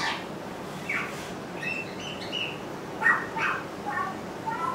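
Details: Pied butcherbirds at Surfers Paradise, Gold Coast, 3 December 2010, imitating other birds including kookaburra, rainbow lorikeets and magpies, with a scattered run of short whistled and slurred notes, some rising and some falling, over steady background hiss.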